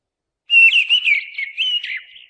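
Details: A single mistle thrush phrase: a run of fluty whistled notes that rise and fall for nearly two seconds before tapering away.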